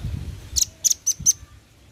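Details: Brief call from a male velvet-fronted nuthatch summoning companions, recorded as a lure: four sharp, very high chips in quick succession over a low background rumble.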